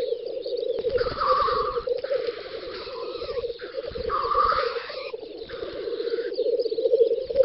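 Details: Lekking black grouse, a group on an open spring field, western Russia, 9-10 May 2019. Rolling bubbling murmur underlies repeated harsh hissing chuffs, roughly one every second or two.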